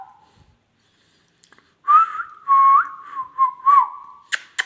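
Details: Whistled tune from an Indian ringneck parrot: a long clear note with gentle wavering pitch, then bouncy slurred notes, followed by two sharp clicks at the end; a short whistle opens before a pause.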